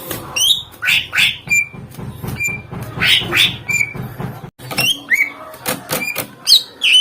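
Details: Greater green leafbird song meant to make other birds respond: short whistled slurs and sharp chips in bursts, partly masked by a steady low hum and clicking knocks.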